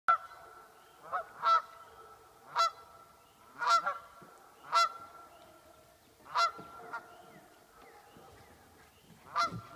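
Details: Geese at a cabin in Millville give loud, nasal single honks at irregular intervals of one to two seconds, about nine in all, over a quiet background.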